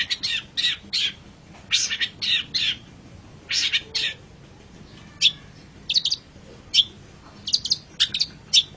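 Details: Master recording of a long-tailed shrike for training pet birds: irregular series of short harsh chattering notes, grouped at first, then scattered single chirps with gaps.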